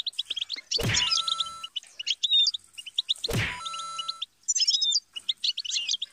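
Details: European goldfinch twittering with quick chirps and slurred notes, interrupted twice by loud sharp knocks.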